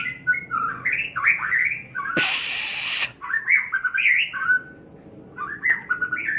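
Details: White-rumped shama performing with varied whistled phrases and quick slurred notes. A loud, rough noise burst interrupts midway, then fluting phrases return, with a brief quiet gap near the end.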